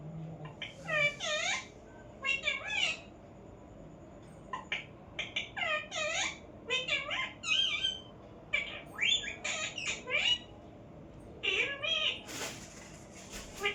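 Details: Indoor pet parrot chattering in a long series of short, bright, looping harmonic syllables like mimicked speech, arriving in bursts with brief pauses and one sharp noise near the end.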